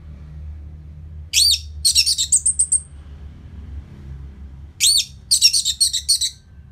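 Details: Orange-headed thrush from Bali singing, played to raise aggression after moulting; two very high bursts, each opening with an arched whistle followed by rapid buzzy twittering notes, with a gap between.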